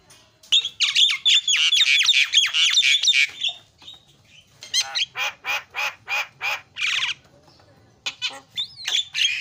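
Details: Javan myna training song with filler phrases: a loud fast harsh chattering burst, then evenly spaced raspy squawks, ending with a short rising-and-falling whistle.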